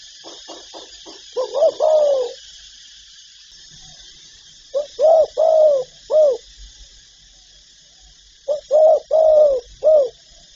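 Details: Spotted dove from the full calling and cooing repertoire: three phrases a few seconds apart, each several short low coos with one longer wavering coo, mellow and evenly spaced.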